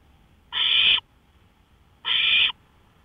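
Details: Two drawn-out hissing screeches from an owl out on a porch at 1:53 AM, May 5, 2013, each lasting half a second and about one and a half seconds apart, against near silence.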